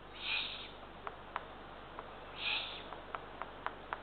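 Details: Eurasian eagle-owl nest with three chicks, small rodents brought shortly after midnight in June 2023. Two drawn-out rasping hisses about two seconds apart, followed by light repeated clicking.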